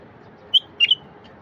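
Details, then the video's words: Wild bulbul singing, a recording meant to set silent wild bulbuls off: one bright whistled note, then a brief pair of clear high whistles, against quiet background noise. "تغريد لفتح البلابل الوحشية الساكتة"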